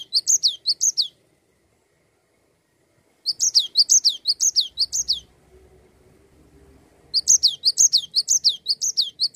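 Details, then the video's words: Cinereous tit in full, continuous song meant to get other songbirds singing: three bursts of high, rapid chirping phrases, each bright note dropping into a slur, separated by pauses of several seconds with a soft low rumble. "Gelatik batu GACOR Ngerol"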